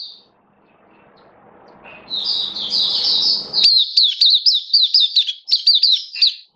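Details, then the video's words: Caged mata puteh, Oriental white-eye, giving its buka sing song, 27 October 2022: after a quiet stretch with soft room noise, a buzzy high warble rises into a string of quick, descending chip-like notes. "Mata Puteh Kitaro Buka Sing"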